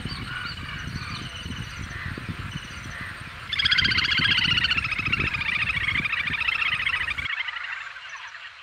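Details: A little grebe (Tachybaptus ruficollis) gives a high, rapid whinnying trill lasting about four seconds, over low wind rumble and faint chirps from other birds.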